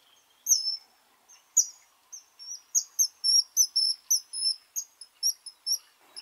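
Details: Kingfisher, a small brightly coloured bird living near water, giving a long series of shrill, very high whistled notes repeated several times a second, some paired and slightly falling.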